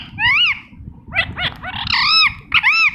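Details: Talking green ringneck parrot uttering a few drawn-out, rising-then-falling nasal squawks, separated by brief pauses. Faint low background noise is also heard.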